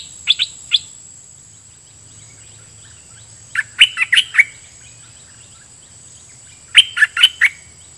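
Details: Decoy red-whiskered bulbul singing toward wild birds. Three tight bursts of rapid, sharp chirped notes are spaced about three seconds apart, with quiet in between. A steady high whine continues throughout.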